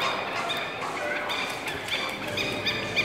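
Greater flamingos in a flock give a steady babble of nasal, goose-like honks and grunts, many birds overlapping with no pause.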